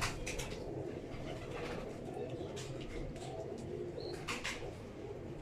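Imam Deen pigeon giving low, murmuring coos in a small indoor space, with scattered clicks, rustling and faint voices in the background.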